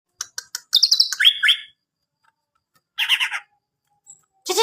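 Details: Greater green leafbird singing a varied phrase of rapid high chirps and warbled notes, pauses between bursts, ending in a harsh buzzy note.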